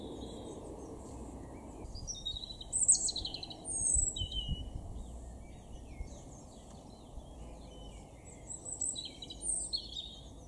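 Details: European robin singing in a garden in Weener, East Frisia, northwestern Germany, April 2024: two bursts of thin, high, tumbling phrases with quick descending sweeps and sharp top notes, separated by a pause, over a steady low background rumble.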